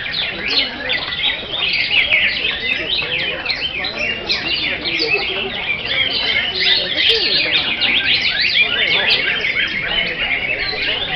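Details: Greater green leafbird in full song: a dense, nonstop torrent of fast chattering and whistled notes, sweeping up and down in quick varied phrases, loud and unbroken throughout.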